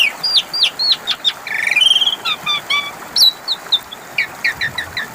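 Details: Jalak suren (Asian pied starling) song played to coax non-singing birds: clipped falling whistles, a longer grating note, then quick chirps and upturned squeaks in a loose series.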